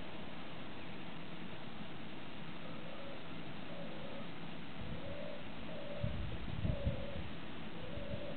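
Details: A very early European turtle dove at Fontevraud-l'Abbaye, Maine-et-Loire, France, on 15 March 2015, gives soft, low purring coos about once a second, half buried under heavy wind or handling noise.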